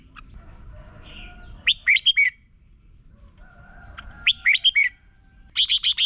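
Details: Red-whiskered bulbul song from Thailand, played each morning so other birds learn to sing quickly and firmly: two short bursts of four bright, warbling, slurred whistled notes, a third begun at the end, with quiet pauses and faint low background rumble.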